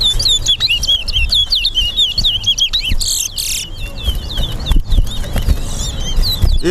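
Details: Caged towa towa singing in a bird singing race at a road bird ground in Lamaha and Vlissengen, Guyana: rapid high whistled notes in a continuous warbling stream, with broadband bursts and low background rumble.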